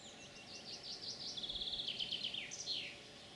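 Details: European pied flycatcher song from 9 June 2019: sweeping high notes lead into a fast run of evenly repeated ticking notes, finishing with a couple of slurred descending notes over light background hum.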